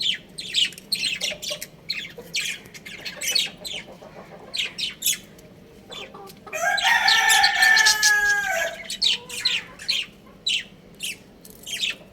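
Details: A young rooster playing on a roof gives a quick series of short, high chirps, then one drawn-out harmonic crow-like call of about two seconds. More bright chirps follow.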